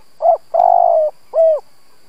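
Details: Lure spotted dove cooing to provoke rival doves: one short coo, a long level coo with a faint trill, then a final arched, falling coo, in a quiet setting.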